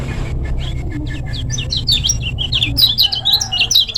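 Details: Lombok lemon-bellied white-eye used as a training recording: after faint ticking notes, a quick run of high, squeaky, warbled twitters builds and carries on steadily to the end, with low hum underneath.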